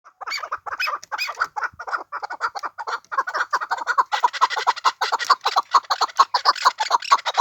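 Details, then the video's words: Chukar from the Pamirs giving a rapid run of harsh clucking notes, about two a second, that build into a dense, overlapping chattering chorus in the second half. "Кабки Помир"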